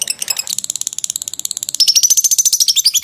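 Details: Lovebird giving a long 'ngekek' trill, a recording used for training other birds: rapid chattering series of harsh, high notes at about ten per second that runs without a break and grows louder about halfway through.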